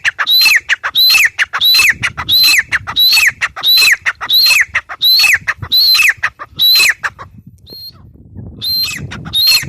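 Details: Loud, rhythmic calling of a grey francolin (teetar): piercing, harsh notes repeated about one and a half times per second, each ending in a descending slur, pausing briefly near the end before two more notes.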